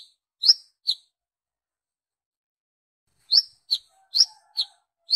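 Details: Brown-throated sunbird lure calls meant to summon others of its kind: two sharp high chirps, a pause of over two seconds, then a quicker burst of four similar flicking notes.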